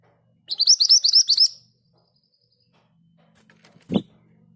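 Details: Scarlet minivet in full 'ngerol' rolling song, a bird that sings easily even among others: one burst of quick, high, bright chirping notes, then silence and a single dull knock.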